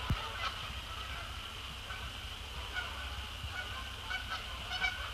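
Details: Resident and migratory Canada geese, after sunset on 2 December 2017, flying in to splash down on Sapsucker Woods Pond; a loose series of honks, busier toward the end, over a steady shrill hum and low rumble.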